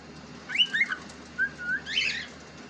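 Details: Pet cockatiel whistling a few drawn-out notes that rise and dip in pitch, ending with a rougher, buzzier chirp.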